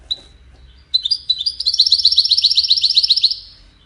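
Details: European goldfinch in widani style, used to tutor chicks: one lone chirp, then a building run of fast, evenly spaced, buzzy trilled notes, about four per second, ending abruptly.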